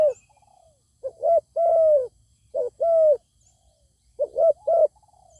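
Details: Zebra dove meeting a fine-voiced wild bird that will not come down to contest: clipped coos and drawn hums in three phrases, with soft falling trills from a second bird in between.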